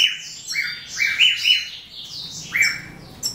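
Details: Black-throated canary (Crithagra atrogularis somereni) chicks give high, scratchy, overlapping chirps that rise and fall in quick bursts, several per second, with a faint low hum underneath.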